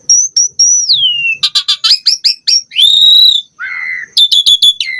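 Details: Varied song of an Asian pied starling, a lure meant to get birds singing: long descending whistle, bursts of clicks and sharp upslurred notes, a sustained buzzy tone, then a lower whistle and quick chattered notes.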